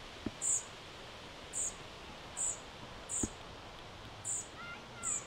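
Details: Fledgling European Pied Flycatchers in conversation near Sastamala, Finland, on 29 June 2025: a steady series of six brief, piercing high chips roughly every second, with a couple of faint clicks and a low hum behind.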